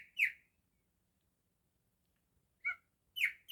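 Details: Pet male cockatiel singing, said to imitate a canary: three short, bright whistled notes, one near the start, then two close together about three seconds in, separated by a long quiet gap.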